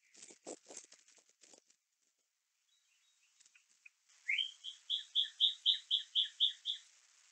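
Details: Bald eagle eaglet at the Little Miami nest on a live nest cam, 5/11/2024, announcing its parent's arrival with a fish as two nestlings compete to self-feed; scraping rustles first, then one rising note and about ten rapid, high piping chirps.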